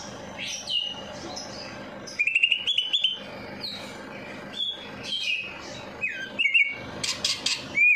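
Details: Singing from a bird fresh from its night bath, played to coax lazy birds: sharp high whistles, rapid rattling trills and bright chip notes in uneven bursts, a loud final whistled upslur, steady low hum behind.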